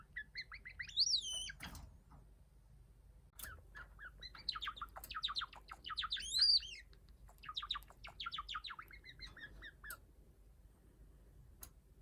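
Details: A cream Java sparrow at home works on its song, mixing high looping whistles with fast bubbling trills and sharp ticks, in several phrases separated by short gaps.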